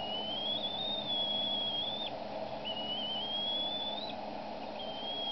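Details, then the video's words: At the Decorah nest in a cottonwood on 23 April 2012, a female bald eagle vocalizes at her mate while he feeds the eaglets. Three long, thin, high whistled whines waver slightly and end abruptly. A constant low rumble runs underneath. "Mom Screeching at Dad Again!"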